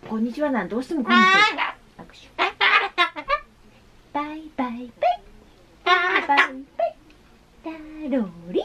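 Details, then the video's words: A pet Ducorps's cockatoo (Solomons cockatoo) talks indoors in short, speech-like phrases with sliding pitch, including "hai" and a Japanese "konnichiwa", broken by a few harsher, raspy bursts. "Today's cockatoo is "Kon'nichiwa" day"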